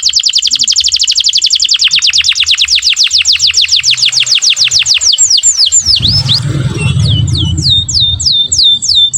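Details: Canary song for tutoring and prompting young canaries to learn to sing: a long rapid series of high, evenly repeated trill notes, then a few slower swooping notes, with low rumbling handling noise in the second half.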